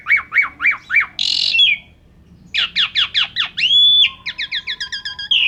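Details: Asian pied starling in full imitation-filled song, used to train other pet birds; quick rising chirps repeated in series, a brief burst of harsh noise, then whistled and buzzy phrases with a short pause.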